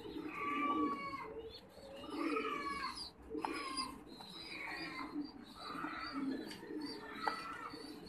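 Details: Trumpeter pigeons (Columba livia) at a pigeon farm in Đắk Lắk, Vietnam, give low, rolling, drawn-out coos almost without pause, while higher chirps from other birds flicker over the top.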